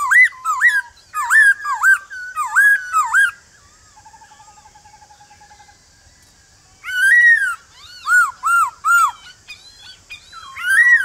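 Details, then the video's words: Morning song of a male White-cheeked Laughingthrush in the wild-voice style, meant to provoke wild-caught birds into answering. Bursts of rapid, looping whistled notes, then a soft buzzy trill, then another series of bright upslurred whistles. "Khướu Bạc Má Hót Giọng Rừng Kích Khướu Bổi Hót Lại Ngay/Tiếng Khướu Trống Gọi Bổi Buổi Sáng Cực Hay"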